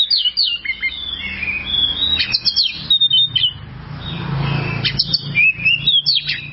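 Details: Oriental magpie-robin song from a long tutor recording for training caged birds: varied clear whistles, sweeping slurs and sharp chirps, high-pitched phrases with brief pauses and a soft low hum in the background.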